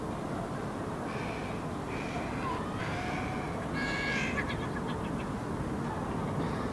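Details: A young Hooded Crow fledgling in a Helsinki park, Finland, in June 2016, likely on its first day out of the nest, gives excited, nasal, whining begging calls about every second as a parent feeds it, ending in a quick stuttering burst over a low rumble.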